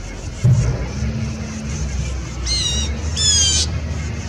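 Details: Blue Jays mobbing an Eastern Screech Owl, their third harassment within 20 minutes, dated 1/3/18: after a quiet stretch with low hum, two short grating screechy jeers sound in quick succession.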